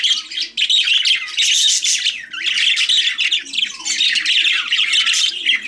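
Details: Pet budgerigars chattering: a dense, continuous warble of scratchy squawks, chirps and buzzy trills with little pause, several birds overlapping indoors.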